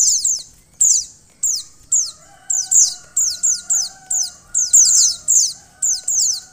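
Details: Female white-eye voice for prompting a male to sing: thin descending squeaks grouped in fast bursts about every half second, with a faint steady hum in the background.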